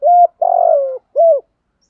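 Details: Single phrase of spotted dove cooing, from cock and hen birds used to stimulate breeding: a steady low hoot, a longer buzzy note gliding downward, then a short rounded closing coo.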